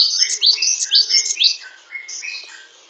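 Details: Great tit delivering a dense, high-pitched chattering phrase of rapid sharp chirps and short whistled notes, softening after about a second and a half.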